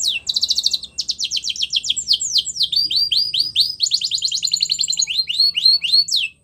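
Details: Male canary in continuous song, mixing rapid buzzy trills with runs of sliding whistled notes, changing pattern every second or so without pause.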